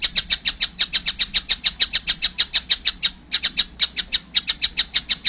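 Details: Juvenile collared kingfisher delivering rapid, high, harsh repeated notes, slightly uneven in rhythm, with one short pause near the middle before the series resumes.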